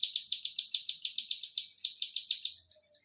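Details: Olive-backed tailorbird singing in the 'nembak rapat' style: a fast run of sharp, high, evenly spaced chipping notes, about three or four per second, fading slightly toward the end; background otherwise quiet.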